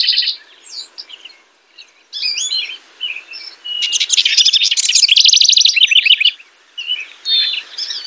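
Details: House wren song in the nesting season: scattered twittered phrases building into a long, loud rattling trill of very high notes, then more tumbling chatter.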